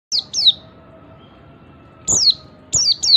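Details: Oriental white-eye giving its ngalas call, used as a master call to draw other white-eyes into calling: high, thin, sharply descending whistled notes, paired, in short bursts separated by pauses, over a low background hum.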